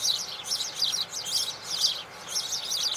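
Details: Spanish sparrows chirp in a busy, overlapping chorus of high, harsh chirps, about two bursts a second, with no other sounds standing out.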